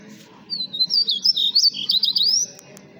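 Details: Pet blue-gray tanager singing in the mariposa song style: a two-second run of high, squeaky whistled notes, sliding up and down in quick bursts, over a low steady background hum.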